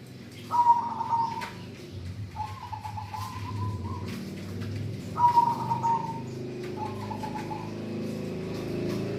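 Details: A local zebra dove sings eagerly, four quick, trilled coo phrases in two pairs, over a steady low hum and light clicking.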